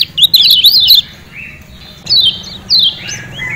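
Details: Lemon-bellied white-eye from Lombok: a brief, rapid twitter of high wavering notes, a short gap, then two crisp chirps falling in pitch, typical of its ciak ciak calling.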